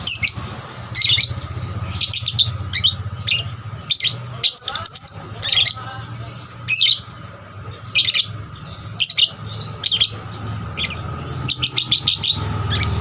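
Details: Young lovebird singing to stimulate other lovebirds; bursts of shrill high chirps, some in rapid trills, others single, with a faint low hum throughout.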